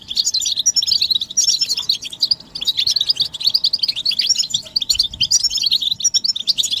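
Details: European goldfinches chattering together, mating and readiness calls for stimulating a silent male to sing; a thick, unbroken flow of high twittering, trills and chirps.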